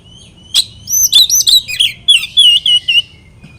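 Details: Song of an oriental magpie-robin (kacer), played to rile up rival birds: a sharp click, then a dense run of rapid wavering whistles and chattering notes, ending in quieter trills.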